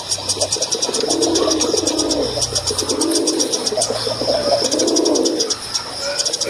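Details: Low bubbling coos from a male dove in three long phrases, with a faint low hum early on and persistent high insect-like buzzing and clicking.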